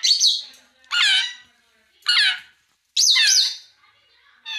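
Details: Grey parrot giving a series of loud, harsh, squawking whistled calls, each about half a second long, with rising and falling pitch, repeated roughly once a second with short gaps, indoors.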